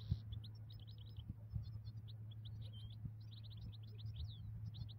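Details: ['European goldfinch, wild and migrating, at a ground-net trapping site: rapid high, thin twittering chirps run almost continuously. A steady low hum sits underneath.']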